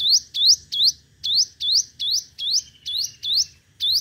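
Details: Five-coloured sunbird decoy in competitive song: about ten loud, sharply rising swept notes in four seconds, delivered in a fast, slightly uneven rhythm.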